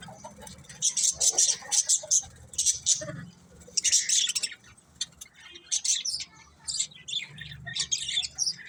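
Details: Several budgies chirp in short, sharp bursts of high twittering, separated by brief pauses, with a faint low hum beneath.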